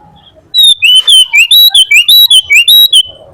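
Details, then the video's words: Clear whistled phrase from a sooty-headed bulbul (kutilang) in gacor song, used as masteran: about a dozen evenly spaced notes, alternating high level whistles with lower swooping slurs, over a quiet background. "SUARA BURUNG KUTILANG GACOR FULL ISIAN"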